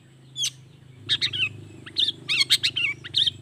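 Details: Long-tailed shrike lure song rich in borrowed wild-bird sounds; scratchy chattering squeaks and twittering notes come in clusters over a steady low hum in the background.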